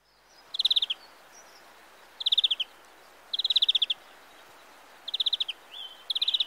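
European greenfinch giving five short, rapid, high trills, each about half a second long and spaced a second or two apart, over faint background hiss.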